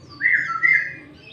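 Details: Sooty-headed bulbul song with green leafbird-style fill notes, used as a lure to draw other bulbuls and provoke rivals: one clear whistled phrase near the same pitch, two slurred swelling notes lasting about a second, over faint low background hum.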